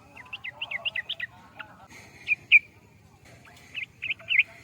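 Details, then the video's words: Sooty-headed bulbul, or trucukan, with a quick series of chirpy up-and-down notes, followed by two louder clear whistled notes and a final cluster of bright chirps. "Pelan Pelan memutar Vidio ini biar tidak kaget burung trucukan anda"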